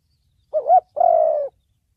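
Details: Single thổ bầu-style spotted dove phrase for trapping and decoy training: a wavering, rising short note followed by a sustained, slowly falling coo, then silence.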